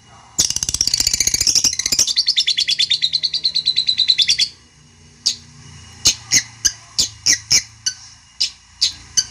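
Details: A long-tailed shrike opens with a dense, buzzy rattle of about four seconds, then a short pause, then harsh clipped notes about every half second; used to stir a rival into replying.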